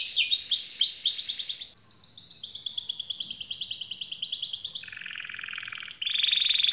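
A canary sings a long, bright run of rapid rolled trills, shifting between high buzzy phrases and lower, fuller rolls without a pause.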